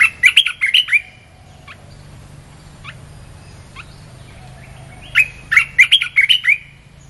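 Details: Red-whiskered bulbul recording used to lure wild birds: two bursts of loud, bubbly chirped phrases at the start and end, with a few faint single notes in the quieter middle.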